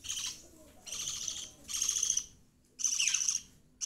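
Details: Pet budgerigar youngsters kept together with rabbits repeat grating chirps about once a second, four long buzzy bursts and the start of a fifth.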